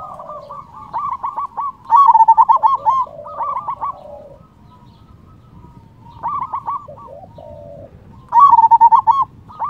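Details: Loud-voiced local zebra dove, played to stir rival doves into answering, sings bursts of quick stuttering coos. Louder tight trills come in short rhythmic runs, separated by softer lower gurgling phrases and brief pauses.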